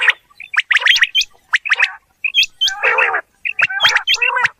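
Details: Quail recorded in a natural outdoor setting, giving harsh rasping chatter mixed with short sharp hooked chirps. The bursts come in quick clusters with brief silences between them.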